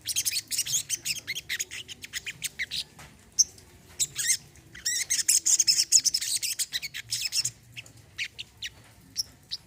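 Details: Olive-backed sunbird singing persistently in therapy recording for non-singing birds: long chattering sequences of very high, thin chirps and twitters, briefly pausing midway before resuming in fast runs.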